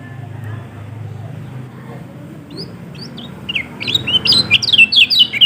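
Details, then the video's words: Yellow-throated white-eye (kecial kuning) from Lombok, song played to prompt a lazy caged bird to start singing; a quiet low rumble, then a loud rapid burst of high, bright, twisting whistled notes over the last two seconds. "Pancingan Kecial Kuning Males Bunyi Agar Cepat Buka Paruh"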